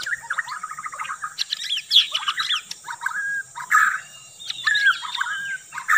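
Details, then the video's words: Lure recording of a white-rumped shama singing: varied whistled phrases, quick downslurred notes and short buzzy bursts separated by brief pauses, over a constant high-pitched background hiss. "KUMPULAN Pikat burung murai batu TERBAIK"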